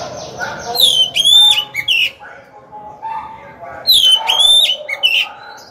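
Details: Decoy Oriental magpie-robin singing to provoke rivals into fighting. Two loud bursts of looping, slurred whistles, each followed by softer notes, with a quieter stretch between them.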